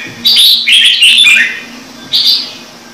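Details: Red-whiskered bulbul singing a brief, high, sweet whistled phrase, then one more short note after a pause.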